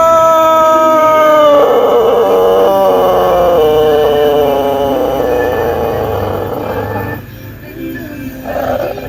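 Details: Long crow of a Pelung chicken, an ornamental breed native to Cianjur, West Java, Indonesia: a smooth held tone that turns into a wavering, vibrato-like stretch lasting several seconds before fading into quieter background.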